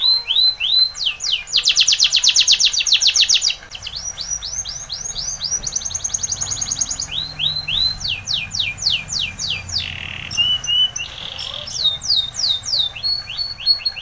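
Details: Training song by a Spanish Timbrado canary: a very fast, high metallic trill, then repeated arched notes, long series of rapid falling strokes, and short buzzy rolls, singing without pause.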